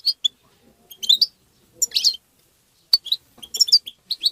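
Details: European goldfinch singing to stimulate goldfinches: loud, high twittering phrases with buzzy, slurred notes near two seconds, a sharp click just before three seconds, then rapid tinkling chirps to the end.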